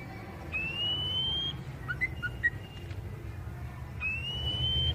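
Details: Oriental magpie-robin of the poci style, its basic voice used as therapy to get forest-caught birds singing: a long rising whistle, a few short chipping notes, then another long rising whistle, over a low background hum.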